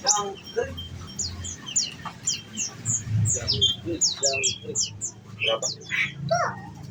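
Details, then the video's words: Nectar-fed olive-backed sunbird in a cage, pouring out a long run of rapid high chirps and squeaky notes in the 'nembak' shooting style, over low hum. "bunyi nembak nembak"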